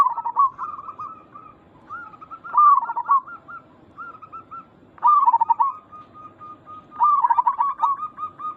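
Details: Zebra dove lure call from a local bird, meant to make others answer; dense warbling coos with loud wavering bursts at intervals of roughly two seconds, linked by short stretched notes.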